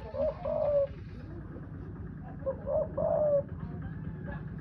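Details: Spotted dove calling with low, mellow coo notes in two short bursts, set against a rumbling background of low noise.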